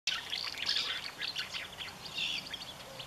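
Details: Common house martin holding its nest, even against its partner, recorded 20 May 2015; a dense, rapid twittering of chirps and short rattles runs without pause for three seconds, high and scratchy.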